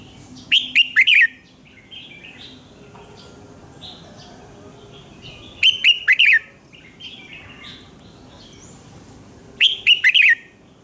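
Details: A red-whiskered bulbul sings in the morning as a training voice for other birds; three quick warbling phrases of falling, slurred notes arrive roughly every four to five seconds, with faint distant chirps between them.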